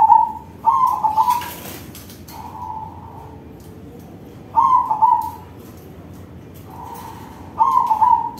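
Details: Crossbred zebra dove in full song with a big voice, a lure to stir other zebra doves: warbling, vibrating coo phrases, some loud and some softer, given in uneven bursts with steady background hiss.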